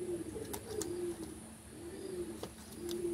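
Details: Black fantail pigeon cooing: low, soft rolling coos repeated several times in a row, over steady background hiss and a few faint clicks.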